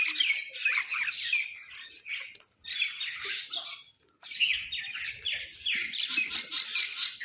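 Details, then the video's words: Quarrelling crows at food give a steady stream of coarse, raspy squawks. Two brief lulls break the calling, then it resumes just as harsh and crowded. "Crows fight for food | Crow Sound part 2"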